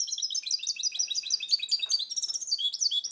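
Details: A 2010 goldfinch and canary cross sings a continuous, rapid, high-pitched twittering song of tightly packed trilled notes.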